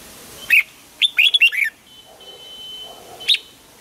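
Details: Red-whiskered bulbul singing at morning for song training, double-note wild-bird style. A lone clear note opens, then a rapid burst of four or five warbled, downward-slurred notes, a faint thin whistle, and one final sharp note.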